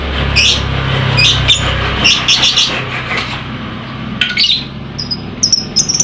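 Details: Lovebird chatter serving as a lure for a lovebird that will not sing and to provoke other lovebirds: rapid, high, scratchy chirps in a loose stream, later thinning to thin squeaks, over a low hum.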